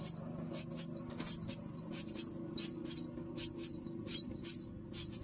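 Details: Myna chicks begging as an adult brings food to feed them, with rapid, high, squeaky rasping calls in quick bursts over a faint low hum.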